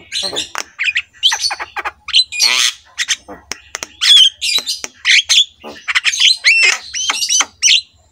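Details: Black-winged myna master song played to get other mynas singing: varied harsh chatter, buzzy rattles and sharp whistled notes, some rising and falling, delivered in quick irregular phrases over a faint low hum.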